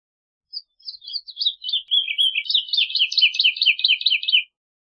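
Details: Woodlark song opening with a few soft, hesitant notes, then building into a fluent run of rapid, descending liquid phrases.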